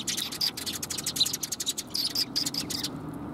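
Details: Sparrows gathering to be fed on a shrine approach, March 2021; rapid high, clipped chirps in quick succession, several birds overlapping, stopping abruptly near the end over a low steady hum.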